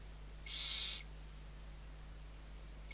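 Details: One rasping hiss lasting half a second, then quiet with low hum, from a brood of six barn owl chicks being fed, Riet Vell, Ebro Delta, Spain.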